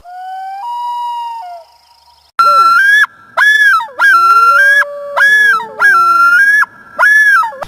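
A loon gives a long, smooth wail rising slowly in pitch, then a run of loud, ringing, yodel-like notes about every second over faint background music.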